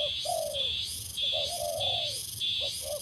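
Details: Spotted dove being readied as a decoy bird on a branch gives a low falling hoot, then a longer drawn coo, beneath loud, regularly pulsing cricket chirps.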